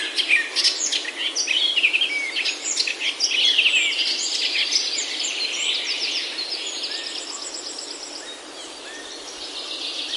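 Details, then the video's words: Wild birds singing in Himalayan oak forest in Himachal, India: busy overlapping high chirps and twittering trills, loud at first and fading, over steady broadband forest hiss. "Himalayan Oaks Alive with Birdsong"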